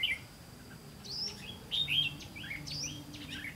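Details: Red-whiskered bulbul at a trapping session on 18 September 2016: brief bright whistled phrases, some sweeping upward, others dropping, spaced irregularly, with a faint low hum underneath.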